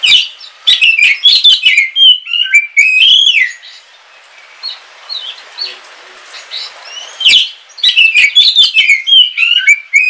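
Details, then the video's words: Home-kept Kalimantan black oriental magpie-robin singing in rainy weather: dense bursts of loud twisting whistles and sharp chips, a quieter stretch of faint notes over rain hiss, then another vigorous bout. "Suara Kicauan Ketika Hujan - KACER WULUNG KALIMANTAN"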